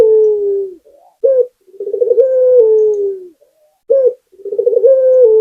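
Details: Vigorous song of a local puter dove from Indonesia: low, mellow coos, each opened by a brief sharp note, then a throbbing trill that smooths into a drawn-out, gently descending tone, heard about twice.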